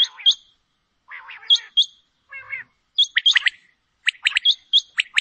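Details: Female common quail (Coturnix coturnix) calling: bursts of sharp, high chirps and short whistled notes in clusters about every second and a half, with brief pauses between.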